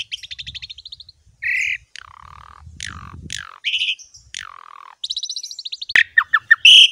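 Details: Javan pied myna singing in a training recording for other birds. Chirp trills, grating buzzes and harsh descending calls, closing with a sharp crack and loud high whistled notes.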